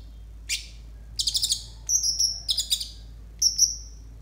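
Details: Konin song for training untrained konin: a rising sweep, a fast rattling burst of notes, then buzzy trills broken by clear high whistles.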